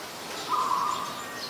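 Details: Brief, fast-pulsed trilling coo from an adult zebra dove in Ubon Ratchathani, Thailand, recorded 24 February 2022, over soft outdoor hiss.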